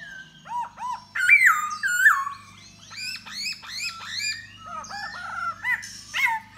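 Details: Da bò laughingthrush singing and dancing to lure a female: a varied run of clear whistled notes, rising and falling loops and slurred phrases, with a low steady hum underneath.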